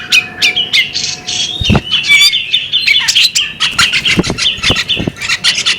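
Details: Female bearded magpie robin uttering sharp chirps and whistled phrases in an irregular stream, with faint low knocks and a soft background hum.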